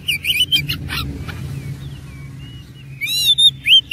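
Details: Oriental magpie-robin, called kacer, singing an ornate 'isian' fighting-style song: rapid sharp whistled and chattering bursts, then a quieter stretch of thin drawn-out whistles, ending in a loud rush of rising and falling whistled notes; low background hum.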